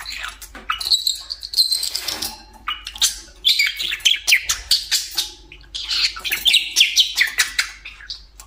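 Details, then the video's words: Budgerigar kept as a pet, sitting atop its favourite cage and warbling continuously in high scratchy chirps and twittering phrases, pulses coming in quick uneven bursts. "Говорящий Попугай"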